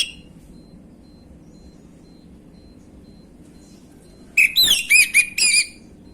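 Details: Orange-headed thrush in a 'gamblingan'-style lure recording meant to prompt young birds to respond: after a quiet stretch, one quick burst of bright, clear whistled notes rising and falling, with a steady faint hum underneath.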